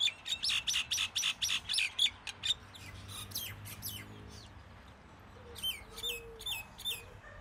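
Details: Common myna giving a quick string of rasping, broadband notes, then a pause and several bright, falling chirps. A steady low hum underlies the calls.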